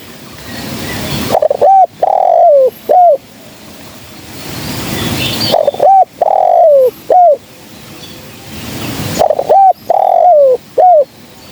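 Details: Female spotted dove used as a trapping lure, giving loud cooing phrases: a short rising note, a drawn-out falling coo and a clipped final note, repeated three times about every four seconds. Faint chirps from other birds sound in between.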